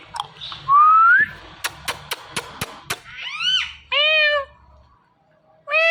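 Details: Indian ringneck parrots, a male and female pet pair, calling in the morning. A rising whistle, then a regular string of sharp ticking clicks, then arched nasal calls with rich overtones.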